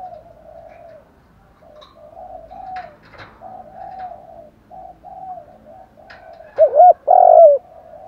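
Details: Male and female spotted doves cooing to excite wild birds, in gù and thúc styles: a long run of soft, low, purring coos broken by brief gaps and a rustle, ending in two loud, arched coos.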